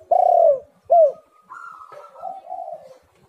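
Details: Spotted dove (derkuku) calling lure: a long loud coo and a short hooked coo, then a thinner higher tone and soft falling coos.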